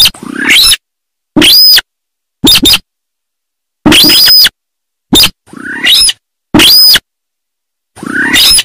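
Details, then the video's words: Paddy-field sintar repeating harsh screeching calls with whistled overtones, mixed with rasping notes and short clicks, roughly every one to two seconds. "Suara Asli Burung Sintar Sawah"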